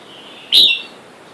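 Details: Red-whiskered bulbul by a caged wild-caught male and female, wild birds calling for a mate outside: a single loud, sharp, slightly falling chirp over quiet background.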